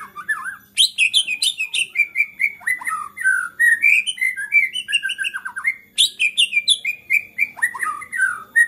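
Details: White-rumped shama singing agitatedly, a display meant to provoke other shamas into song: rich whistled phrases mixed with sharp high notes, descending slurred whistles and rapid chattering bursts, almost continuous with brief pauses between phrases.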